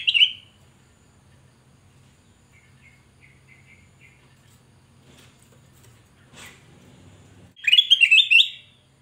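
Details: A Black-crested bulbul sings loud, bubbly warbled phrases at the start and end, with faint high notes between and a low hum underneath.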